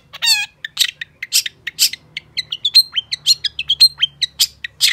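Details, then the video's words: Long-tailed shrike song, played to get silent shrikes singing: a varied string of harsh buzzes, sharp chips and high whistled notes, about two each second, in a clean recording. "Pancingan Cendet Gacor Cocok Buat Masteran Cendet Macet Agar BUNYI"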